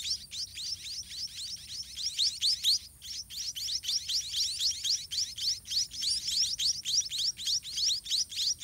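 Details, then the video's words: Nestling white-rumped munias being fed by a parent in a nest full of droppings. They give a continuous stream of thin, upward-sweeping chirps, about three or four each second, with only a brief break near three seconds. "White-rumped Munia Hatching & Feeding Babies in Nest"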